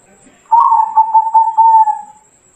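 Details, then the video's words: Bangkok-type zebra dove singing, recorded as a lure to get other doves calling: low, mellow pulsed cooing, beginning with a warbled roll and ending in a sustained even tone, with a faint high hiss throughout. "Masteran Perkutut Lokal Bangkok !! Semua Perkutut Sekampung Langsung Bunyi"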